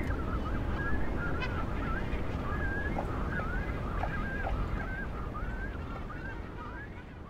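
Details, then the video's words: Cormorant chicks demanding their meal on barren boulders of an island surrounded by the Atlantic Ocean: a busy stream of wavering, yelping cries that rise and fall, repeated rapidly over constant low rumble of wind and waves. "Hungry young birds demand food"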